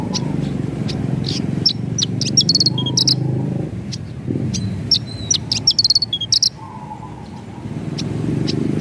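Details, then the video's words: Javan bush lark singing energetically in rolling 'ngerol nembak' style: bursts of high piercing notes and quick stuttering trills, grouped in two dense flurries, over low background rumble. "Masteran BRANJANGAN Gacor , Ngerol Nembak"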